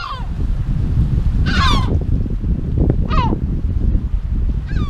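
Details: Wild yellow-legged gulls at a breeding colony on the Illas Estelas, Galicia, in defensive behaviour: loud harsh falling cries, one long then shorter ones spaced about a second apart, with constant wind buffeting.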